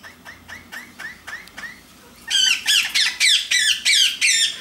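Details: Pair of pet Indian ringneck parakeets, blue male and pastel violet lacewing female, playing and flirting: a run of soft, rising chirps, then loud, harsh, sharply inflected squawks repeated roughly every half second.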